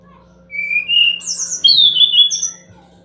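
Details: Sumatran laughingthrush song meant to make reluctant birds reply: rising whistled phrases followed by a loud sweeping, slightly buzzy whistle that slides down, over a constant faint electrical hum.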